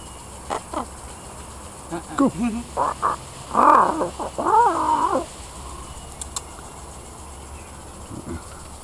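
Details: A tame, free-flying pied crow, drawn closer after a person imitated its noises and more interested in chatting than eating the peach it was given, gives varied hoarse, gurgling and croaking notes in bursts over a quiet hiss.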